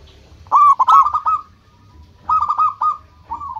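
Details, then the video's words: Local zebra dove in lively song meant as a lure: two bursts of fast, rattling, bubbling coo notes that run on into a level trill, with a shorter third phrase at the end. "Perkutut lokal gacor menarik perhatian lawan langsung pada nyaut semuanya"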